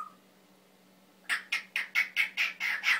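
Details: Male Timneh African grey kept as a family pet lets out eight rapid, harsh, evenly spaced squawks after a brief faint whistle.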